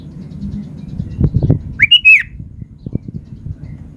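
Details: Sooty-headed bulbul, singing energetically, delivers one loud, mellow, slurred whistle phrase midway, surrounded by soft knocking and tapping sounds and a low background hum.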